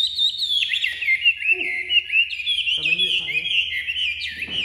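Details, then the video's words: Pet Chinese hwamei singing loudly on leaving its box, a continuous stream of high looping whistles and chattering trills, with brief faint human sounds in the background. "Chim vừa ra khỏi hộc đã chơi như máy, chất giọng cực đỉnh | Họat Họa Mi"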